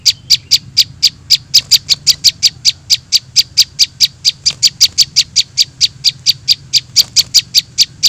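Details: Young prinias, a lure for trapping small birds, give a fast, relentless string of thin, high chips, roughly four to five per second, with no pauses.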